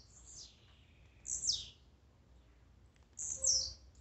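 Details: Blue-black grassquit song, played to stir up a kept bird: a thin, long note sliding down, then two bright, buzzy bursts dropping sharply in pitch, spaced about two seconds apart.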